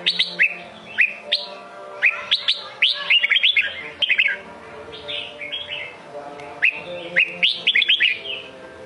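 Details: Red-whiskered bulbul in Sông Kôn singing style: lively, repeated phrases of clear rising and falling whistles, some fast chattering runs, recurring every second or two, with clicking noises and a faint hum.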